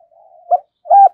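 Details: Spotted dove kept as a decoy and calling to incite fights: a soft low murmur leading into two brief mellow coo notes, the second fuller and steadier, in quiet surroundings.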